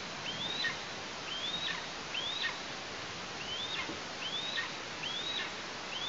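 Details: Eastern imperial eagle nestling in Tatarstan, August, with parents bringing prey; six fairly faint, upslurred whistles with quick drops, spaced under a second apart amid steady rustling noise.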